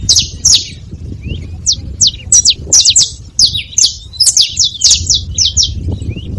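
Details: At a feeding spot, a saffron finch gives clustered bright, high chirps and short slurred notes in uneven bursts over a faint low background hum.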